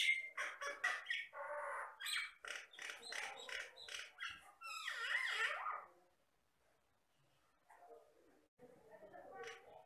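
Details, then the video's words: Common myna (jalak Batam) from the Riau Islands, able to imitate many sounds, singing a fast stream of clicks, chirps and rasping notes for about six seconds, then falling quiet except for faint soft chatter near the end. "MASTERAN BURUNG JALAK BATAM GACOR"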